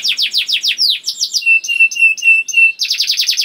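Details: Young canary singing to encourage other canaries to sing: rapid bright slurred trill, a series of steady lower whistled notes, then another quick high trill.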